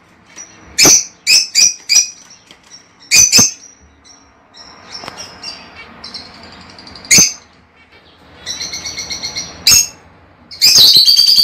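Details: Lovebird chirping, sounds meant to stimulate a pet bird to mate: sharp high-pitched chirps in quick bursts, several loud broadband clicks, a stretch of softer buzzy chatter, then dense shrill calls at the end.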